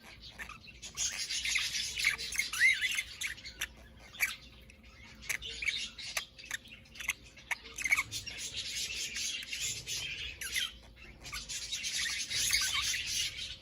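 A budgerigar chatters in scratchy, buzzing bursts of warbled notes, each lasting a few seconds.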